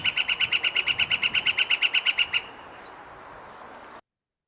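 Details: Northern Flicker long call, which carries a long distance, from Washington: a fast, regular run of about eighteen ringing notes over two and a half seconds, then stopping and leaving only faint hiss.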